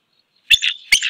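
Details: Bald eagle at its nest, filmed by a live nest camera on 01-11-17 as the male makes a courtship approach after the female flies up to a perch above the nest. Two sharp, high, squeaky call notes about half a second apart.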